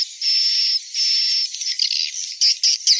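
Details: High buzzy notes from edible-nest swiftlets: two long, even, hissing chirrs followed by a quick run of shorter twittering and clicking bursts.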